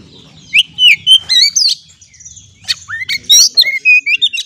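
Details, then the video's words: Oriental magpie-robin lure song to set stressed birds singing: clear, loud whistled phrases with rising and falling slurs, a short gap, then quick bright chirps and whistles. "Terapi kacer stres langsung gacor dengan pancingan suara burung kacer ini"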